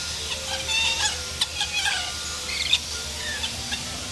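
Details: Lorikeets at play at the zoo in Columbus, Ohio, 16 October 2014, giving scattered sharp, high chirps and short screeches, with a few louder shrieks standing out above constant background hum.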